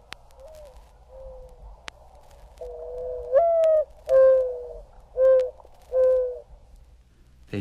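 Mourning Dove giving its soft, hollow cooing: a slurred rising coo followed by three or four steady, lower coos at a slow, even pace.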